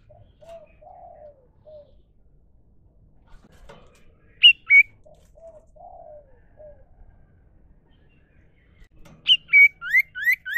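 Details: Common iora, a sirtu cipoh in the wild, with soft low slurred whistles repeated twice, then two sharp loud notes and finally a run of five rising whistled notes, spaced apart.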